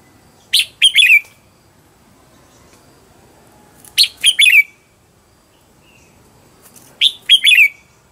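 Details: Red-whiskered bulbul used as a decoy to lure wild birds, giving three loud bursts of song about three seconds apart, each a quick run of sharp chirps ending in a warbled, falling whistle, with near silence between.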